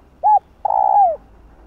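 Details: Spotted dove cooing to excite other doves: one short arched hoot, then a long mellow coo that slides down at its end.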